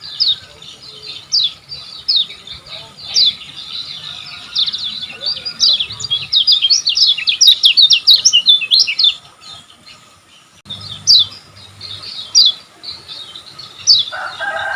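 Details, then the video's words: Singing lemon-bellied white-eye of Lombok, played to caged birds as a master song; long, fast series of high, thin chirps and trills, broken by a brief pause, then further sharp notes. "Suara Burung Kecial Kuning Gacor Paling Ampuh Untuk Masteran Kecial Kuning Agar Cepat Nempel"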